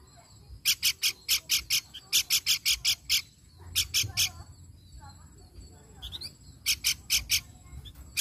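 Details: Lure recording of a pelanduk bukit babbler: three runs of loud, rasping, evenly spaced notes, each run of four to six notes, separated by quieter gaps with faint chirps and a low background rumble.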